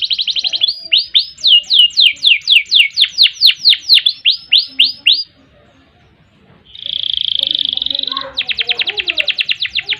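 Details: Canary in full gacor song with long ngerol rolls, used as a master recording; a fast series of sharp downward sweeps, a brief pause, a steady buzzy roll, then another rapid trill.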